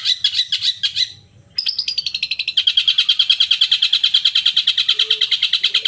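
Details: Long-tailed shrike song used to provoke a caged bird to sing, morning, midday and evening: fast, evenly repeated high buzzy chattering notes, about three per second, after a brief opening phrase; a faint low whistle appears late.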